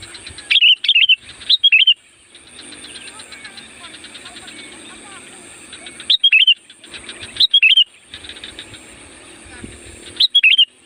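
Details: Loud Sooty-headed bulbul song meant to call wild bulbuls: short bursts of three or four lively warbled notes, given in pairs with pauses of several seconds, with soft twittering and faint voices behind.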